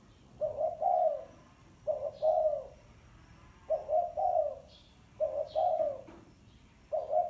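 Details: A spotted dove repeats thổ sấm style cooing phrases about every one and a half seconds, each a clipped double coo then a longer falling one, with brief high chirps from other birds.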